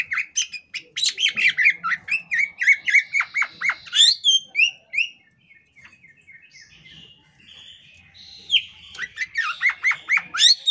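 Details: Oriental magpie-robin female (kacer poci) in breeding condition, tail fanned, giving dense rapid chattering notes and sharp whistles for about five seconds, a quieter gap, then renewed fast chatter toward the end.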